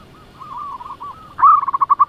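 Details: Zebra dove, local lure bird, sings quickly to provoke rivals: a low soft wavering coo, then a sudden loud burst of rapid, clipped, repeated notes.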